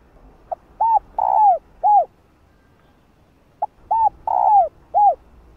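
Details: Female spotted dove cooing to stimulate males: two soft hooting phrases, each a tiny pip, a hooked coo, a long falling burry note and a closing coo, about three seconds apart.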